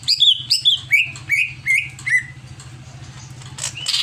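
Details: Agitated greater green leafbird giving a series of about seven sharp chip-and-whistle notes, each slurring downward and gradually lowering in pitch, followed by softer buzzy notes, over a low hum.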